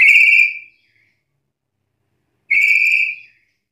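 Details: Black-capped lory calling to challenge rivals: two short, harsh, rasping squawks about two seconds apart, each about half a second long, with a quiet gap between and no other sounds.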